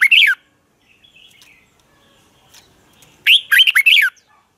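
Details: A red-whiskered bulbul sings its fighting song, a training lure meant to provoke other birds to sing. A short whistled burst is followed by a longer phrase of five quick, bubbling, up-and-down notes after a quiet gap.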